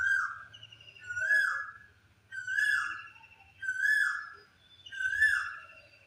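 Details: Asian koel calling on a spring late afternoon, a kuhu kuhu call: five loud, clear whistled notes, each rising then falling, repeated about every 1.2 seconds with brief pauses between them.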